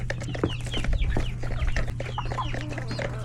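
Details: Hectic lunch time in a chicken coop with roosters and many chicks; quick downward-sliding chick peeps and soft clucks tumble together over a steady low drone.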